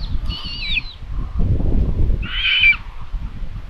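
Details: Common buzzards at a live-camera nest in Tiszalök, Hungary, 27 May 2022 around 12:23, as a parent brings prey for lunch. Two drawn-out, wavering, squealing calls sound about two seconds apart, over a steady low rumble like wind.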